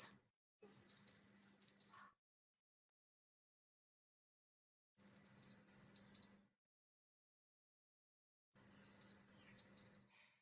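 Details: Eurasian blue tit, a springtime bird, singing high, thin notes: two clear whistles and then a quick run of tumbling, trilled notes, the phrase repeated three times about four seconds apart.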